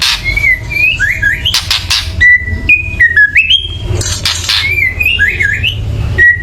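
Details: Loud white-rumped shama chattering to excite birds into song: rapid zigzag whistles and flat held notes separated by brief harsh rattling bursts, with low rumble beneath.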